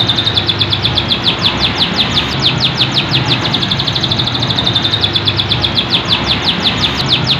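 A canary sings a long, sharp, high trill of rapidly repeated notes, about seven or eight a second, over a faint low hum.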